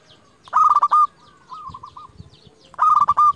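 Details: Local zebra dove lure song meant to provoke rivals: a loud, clipped burst of quick cooing pulses, then a quieter wavering trill, then another sharp burst.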